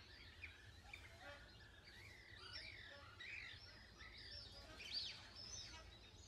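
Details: Plumed whistling ducks at Lake Galletly, Gatton, South-East Queensland, 21 June 2024: shrill, overlapping whistles and twitters, some rising sharply, from several birds at once over a low background rumble.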